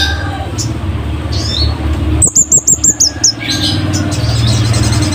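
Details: A Scarlet-headed flowerpecker serves as a master bird for training caged songbirds, its song loud and sharp: seven high, slurred piercing notes in quick succession, with other soft high chirps before and after over low hum.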